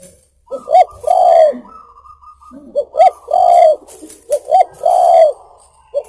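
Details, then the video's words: Luring song of a spotted dove (tekukur): repeated three-part phrases, two short clipped coos then a long mellow coo, about every one and a half seconds. "SUARA BURUNG TEKUKUR COCOK UNTUK PIKAT(buat masteran)"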